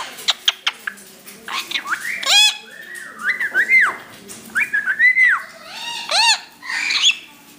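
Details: Parrots producing a varied run of whistled notes: sharp clicks, arching up-and-down whistles and short chirps, irregularly spaced over several seconds.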